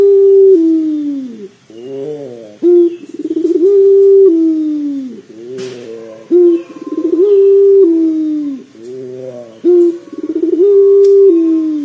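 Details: Pelung dove calling as a lure so a listening dove starts to sing: rich, low, drawn-out coos alternating with brief stepped notes, the cycle repeating roughly every three seconds, with faint clicks in the background.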